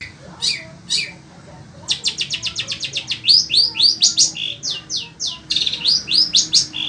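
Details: Caged Long-tailed Shrike of the sembur type, kept in Indonesia, singing nonstop in desert-like heat: two sharp notes, then a rapid run of clipped chips that turn into repeated rising whistled upsweeps.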